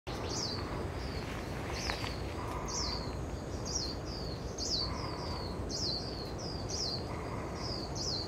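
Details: Dark-sided flycatcher in Yilan, Taiwan: thin, high, sharply downslurred notes given singly or in short pairs about every second, over steady broadband background noise with some lower hums.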